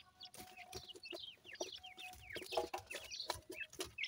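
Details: Young pheasants pecking at new food, a chorus of high, piping chirps that curve up then down, repeated quickly from several chicks, with sharp tapping sounds and a faint low hum.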